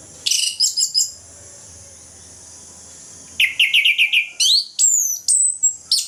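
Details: Orange-headed thrush in morning ngeplong song, meant to spur lazy birds to sing: a short burst of quick notes, a silent gap, then a fast series of repeated rising chirps followed by long, clear, descending high whistles.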